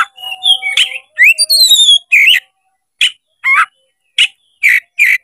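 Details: Tail-spreading kacer, the Oriental magpie-robin, sounding to goad a rival into fighting song. Clear whistled slurs and falling harmonic sweeps open, followed by short rasping bursts repeated roughly every half second with silent pauses.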